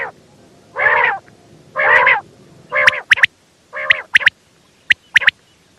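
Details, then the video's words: A female quail calls with long nasal, harmonic squawks, each nearly half a second, alternating with sharp high double clicks. "female bater sound"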